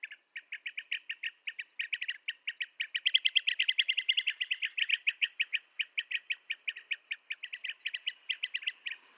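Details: Dense chattering of blue-tailed bee-eater calls, quick rolling chirps that crowd together and swell in the middle, likely several birds, over a steady high insect hum.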